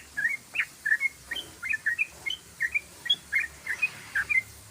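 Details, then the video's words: Long ropelan song of a yellow-vented bulbul: short, bright chirped notes delivered in rapid pairs and triplets, evenly spaced across the stretch, with a faint background hiss. "ROPELAN BURUNG TRUCUKAN PANJANG❗❗❗TRUCUKAN GACOR❗❗❗"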